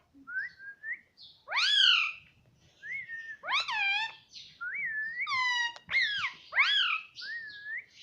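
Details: Pet ringneck parrot at home mixing speech and whistles: clear flat whistled notes alternate with loud, harsh, arched spoken syllables, repeated back and forth in a lively run.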